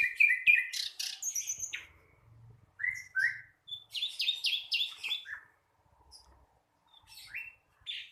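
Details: Young flycatcher, known as sikatan londo, rehearsing song: quick chirped phrases, paired whistles, a fast series of buzzy notes, then scattered softer calls with brief pauses.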